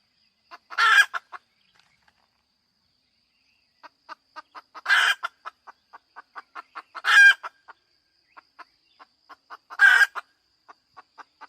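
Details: A female chicken cackles repeatedly with four loud, harsh drawn-out squawks over about ten seconds. Steady series of short clucks fill the gaps between them.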